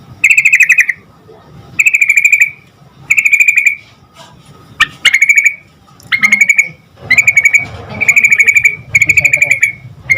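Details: Yellow-vented bulbul repeating short bubbly chattering phrases about every second, played to coax other bulbuls into answering, with a couple of sharp slurred notes in the middle and little background noise.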